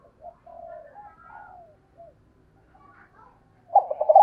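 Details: Spotted dove kept as a decoy, calling to draw in wild doves; soft, scattered low coos and a falling note early on, then a loud, throaty burst of cooing near the end in an otherwise quiet setting.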